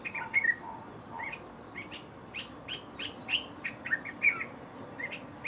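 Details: Dark-capped bulbul calling: a run of short, liquid chirped notes, some in quick pairs, spaced irregularly about every half second, bright and clear over a quiet background.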